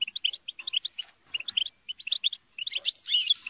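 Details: Squabbling chatter of a goldfinch group used to motivate singing; evenly spaced twittering phrases of bright chips, closing with a louder harsh, buzzy scolding burst.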